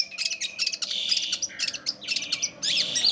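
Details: Long-tailed shrike singing actively, a dense run of high, scratchy chirps and harsh buzzy notes with brief whistled slurs, delivered almost without pause.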